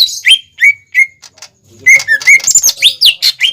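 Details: Greater green leafbird lure song meant for young birds to imitate: a few clear falling whistles, a short lull, then a busy jumble of squeaky, scratchy and whistled notes.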